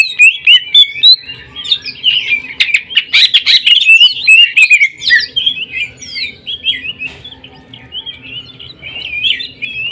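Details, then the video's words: Greater green leafbird song in the jamtrok tembakan style called sewing-machine sound: rapid ticking bursts mixed with bright whistled slurs and zigzag notes, delivered in dense, fast runs with brief pauses. "CUCAK IJO JAMTROK TEMBAKAN SUARA MESIN JAHIT"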